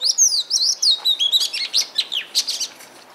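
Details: Oriental magpie-robin from Punakha, Bhutan, delivering a quick string of high whistled slurs that rise and fall, then switches to crisp repeated chips and harsh notes roughly every quarter second, loud and close.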